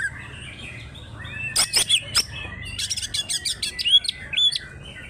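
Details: Greater green leafbird of local Banyuwangi stock from Alas Purwo, singing nonstop in an aggressive fighting style; clicks and sharp chips, then a quick burst of whistled slurs and chattering notes.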